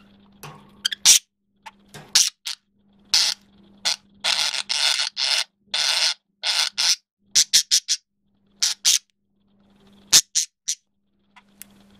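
Short bursts of broadband scraping and rustling over a steady low hum, with no clear animal call.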